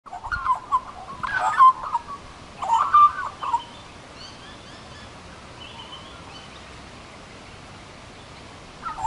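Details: An Australian magpie in a small tree warbles in two rich, gurgling bursts of mid-pitched notes over about four seconds. Then near quiet with faint, higher, distant bird notes.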